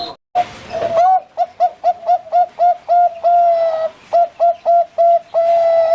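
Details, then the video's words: Caged Bangkok-type zebra dove from a bird farm in Pamekasan, Madura; a rapid chain of short bright coos, one longer held note in the middle, then more clipped notes ending in another sustained coo. "Suara Perkutut Bangkok"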